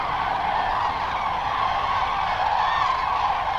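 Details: Late-afternoon roosting flight of Common Cranes arriving at the lake at Lac du Der-Chantecoq, northern France, during migration. Many birds call at once in a steady, overlapping wash of trumpeting with no pauses.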